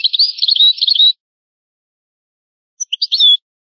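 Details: European goldfinch singing in the original old-style song language, from a rare old recording: a second of rapid high twittering and slurred notes, a pause of over a second, then a shorter burst of chirps ending in a clear whistled note.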